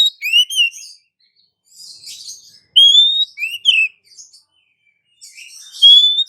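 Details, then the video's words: Oriental magpie-robin female calling for a male. Curved whistled notes with scratchy chatter, then a strong upslurred whistle and two bent notes, ending on another rising whistle after a hissy pause. "SUARA KACER BETINA MEMANGGIL KACER JANTAN"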